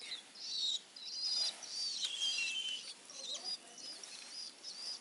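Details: Hand-reared Long-tailed shrike chick, three weeks old and from a single nest, begging for crickets with continuous loud, rasping, hissy calls in long bursts separated by brief pauses.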